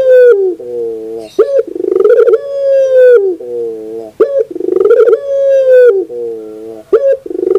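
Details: Singing Barbary dove, or burung puter, on a recording meant for training birds; loud resonant coos in a steady cycle, short clipped note, long rolling hum, then a lower trailing coo, roughly three phrases.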